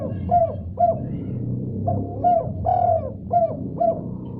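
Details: Spotted dove responding after hearing another dove's call, giving a run of soft, hollow coos in phrases of two or three notes, the middle note drawn out, with a low background rumble.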